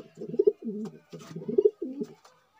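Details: Male magpie-breed domestic pigeon, blue, black or red, cooing indoors: two low, throaty rolling coo phrases, each a quick stutter of pulses followed by a smoother, warbling tail, with faint clicks between.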